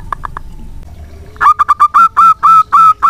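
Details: A local zebra dove used as a lure for other doves starts with three soft notes, then breaks into seven loud, drawn-out ringing coos that grow longer toward the end.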